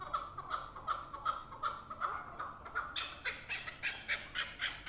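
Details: Chukar partridge kept for hunting: a slow series of soft chuk notes about once every third of a second, swelling into louder, harsher, rapid chucking bursts in the second half.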